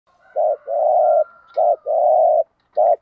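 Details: Spotted dove of the local field type, cooing in the thúc gù style used to provoke newly caught doves: a short low coo, then a longer one, repeated, with a thin faint whistle-like tone above.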